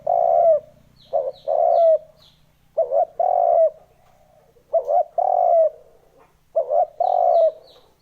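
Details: Spotted dove lure call used to provoke wild doves: low, mellow cooing phrases, each a short double note and then a long drawn coo, repeated about every two seconds, with faint high chirps at the start and end.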